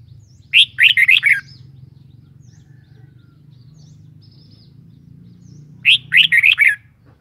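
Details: Two cheerful, warbling song phrases from a kept red-whiskered bulbul, about five seconds apart. Each is a quick burst of five or six liquid notes over a constant low hum.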